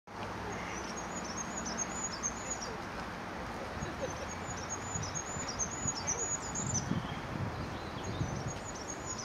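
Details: Goldcrest singing at Staffordshire Wildlife Trust HQ on 9 March 2016. The song is a thin, very high, rapid series of tiny notes, repeated in phrases over a steady broadband hiss with low rumble.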